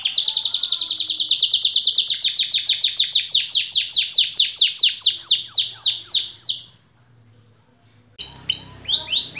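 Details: Long-duration song of a white AF canary: an extended run of rapid high notes, each sweeping downward, continuing for about six seconds, then a pause of over a second before a fresh burst of sliding notes.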